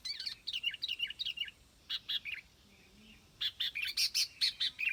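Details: Sooty-headed bulbul singing: bursts of bright, bubbly whistled notes, quickly repeated and slurring downward, a short pause, then a livelier run of sharp chirps.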